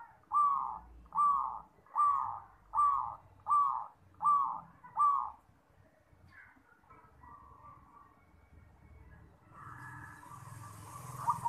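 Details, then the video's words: Perkutut (zebra dove) singing, presented for training young birds: a tight run of seven short cooing notes about 0.7 seconds apart, then softer scattered coos and rising background hiss. "PERKUTUT JUARA Suara TERBAIK!!! Melatih Perkutut Bakalan"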